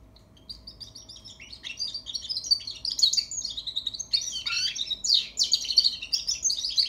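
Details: Young European goldfinch practising and arranging its song. Continuous high twittering of tinkling and buzzy notes, starting soft and building in loudness, with a faint steady hum beneath.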